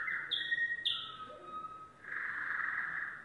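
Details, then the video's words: Yellow domestic canary singing: a rolling trill, two short high chips, a lower drawn-out whistled tour, then a broad fast trill to the end. "canary singing"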